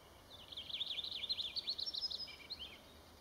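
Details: Black-backed Woodpecker (Picoides arcticus) in Malheur National Forest, Harney County, Oregon, USA, 21 May 2019, giving a rapid, jumbled chatter of high, squeaky notes lasting about two and a half seconds, over a faint steady hiss.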